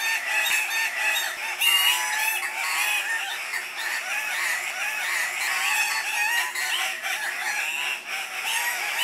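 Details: Chorus of Andean cock-of-the-rock males at a lek, displaying and competing for females: many harsh, overlapping squawks and grating calls pile up without pause, forming a loud, steady din.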